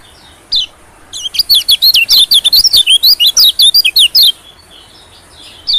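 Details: Lure sound of a white-eye, meant to pull in small birds, especially white-eyes: a three-second burst of rapid, high, sharply inflected chirps about five per second, set between single isolated chirps.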